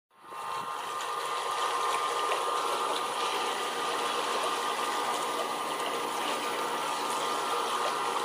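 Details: A steady whirring, rushing noise like a pump or running water continues throughout, with no animal calls.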